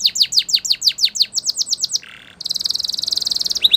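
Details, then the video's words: Spanish Timbrado canary in a training song: a steady row of sharp descending whistled notes about five per second, a short low buzzy burst, then a long fast metallic trill. "Canary Singing CHAMPION For Training | Spanish Timbrado Song"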